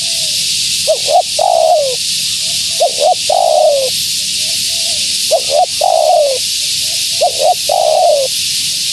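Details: Female spotted dove cooing to lure wild doves. Three phrases, each a pair of brief notes leading into a drawn-out descending croo, repeat roughly every two and a half seconds against constant background hiss.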